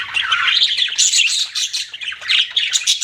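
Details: Chirping budgies, a steady stream of fast, rasping warbles and squeaky notes with no pauses.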